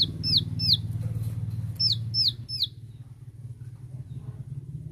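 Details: Bar-winged prinia (ciwah) shooting song to challenge rivals: two short groups of sharp downslurred notes against loud low-pitched rumbling noise that continues after the bird stops.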